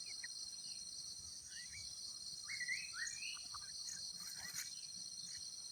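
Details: Wild sooty-headed bulbul at its nest in nature while the parents raise their young: a few short rising, slurred whistled notes, loosely spaced, over a steady, loud high-pitched insect drone.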